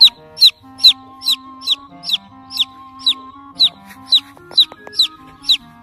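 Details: Chicken chick calling for the mother hen, a rapid series of about thirteen shrill descending peeps, a little over two per second, with sustained background music tones and a few faint clicks.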